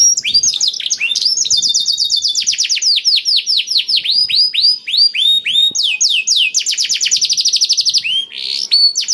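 A black-throated canary sings a fast, continuous stream of high, sweet trills and rapid downslurred notes, with several overlapping voices and no pause.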